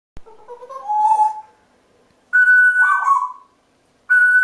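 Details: Two pet African grey parrots perched atop a kitchen door shortly before bedtime, making winding-down noises: a rising warbled whistle, then a steady clear whistle merging into a lower fluttering note, and another steady whistle starting at the end.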